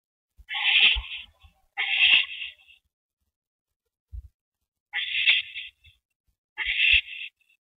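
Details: At a nest on an April 2012 evening, one owl brings a rabbit to its mate. Four raspy, breathy hisses come in two pairs, separated by a quiet pause, with faint thumps and knocks between them.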